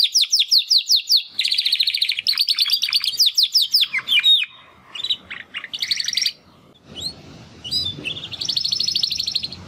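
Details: Two young Timbrado canary brothers, hatched in the second breeding of 2020, attempt song after their first molt: fast repeated high trills in bursts, then rising whistled notes and rattling tours with short pauses.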